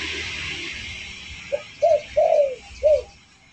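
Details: Spotted dove lure call for attracting birds. After a stretch of hissy music and background noise, four soft arched coos follow, the third one longest.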